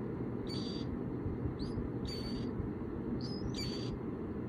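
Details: Baby Killdeer being raised for release back to the wild, hatched from eggs found in harvest fields. About five thin, high peeps, some rising, some short and clipped, come in uneven bursts over a steady low hum.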